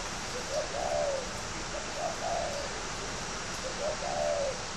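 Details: Spotted dove kept for fighting in Ba Vì, Hanoi, Vietnam, sings three gentle cooing phrases, each a quick note followed by a drawn-out, slightly falling coo, steady hiss beneath.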